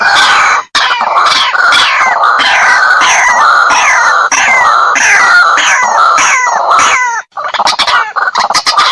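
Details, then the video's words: White-breasted waterhen lure call for hunting, meant for day or night use: loud, harsh, nasal notes, each dropping in pitch, repeated three to four times a second in a steady run before breaking off. "Suara pikat burung ruak-ruak"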